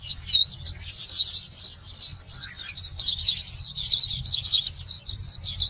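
A Eurasian skylark pours out a continuous, high warbling trill, rapid and unbroken, with quick rising and falling twitters over a faint low rumble.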